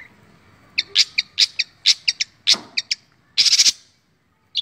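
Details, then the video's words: Kept long-tailed shrike (cendet) delivering mimicry song material: a string of sharp, spaced chips and clicks, a few accented harder notes, then a brief harsh rattling burst before quiet. "Materi Cendet / Long Tailed Shike"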